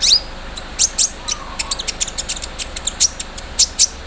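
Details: ["A busy stream of very high chips and clicks, some in quick pairs, sung by a kept olive-backed sunbird in its morning dew airing, rendering the 'mesin bordir' filler."]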